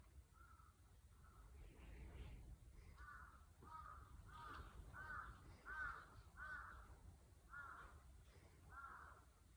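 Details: Crows cawing at 5 am on a hot summer morning, Saturday 25 June 2022, in Japan: about a dozen hoarse, evenly paced caws from some distance over a low background rumble.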